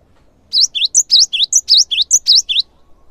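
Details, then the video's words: Energetic cinereous tit song meant to set other birds singing: a fast, loud string of about a dozen bright alternating high and lower whistled notes lasting two seconds, clean background. "GELATIK BATU GACOR | SEKALI PUTAR SEMUA GELATIK LANGSUNG IKUT RAME"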